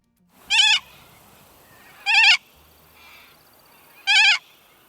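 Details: A Little Corella (Cacatua sanguinea) gives its common contact call, a sweet "ah, ah". Here it is three harsh, wavering, nasal screeches, each short and spaced about every one and a half to two seconds, over a quiet background.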